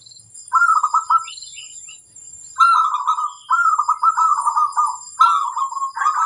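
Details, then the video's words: Zebra dove song for training birds to sing: a short bubbly coo, a pause, then a series of rolling, trilled cooing phrases repeated in quick succession. "Sang masteran burung perkutut - terapi supaya cepat bunyi"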